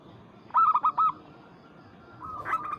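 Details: Local Zebra dove calling to a rival: one sharp burst of four husky coos, then quiet, with another bird's brief call rising near the end.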